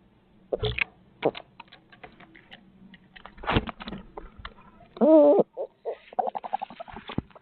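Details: Barred owl in Midtown Tulsa, 2020, recorded on a live feed: one harmonic, slightly wavering call lasting about half a second, surrounded by loud clicks, scrapes and knocks from close handling or movement.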